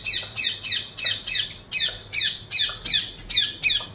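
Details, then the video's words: A parrot gives a steady run of harsh squawks, close to three per second, each note a short, rasping, downward-bent shriek. "PARROT CALLING"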